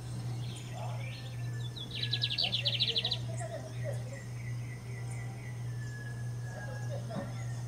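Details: Lined seedeater singing hard: after a few scattered chirps comes a loud, rapid buzzy trill lasting about a second, followed by softer chirps, over a steady low hum with other faint bird calls.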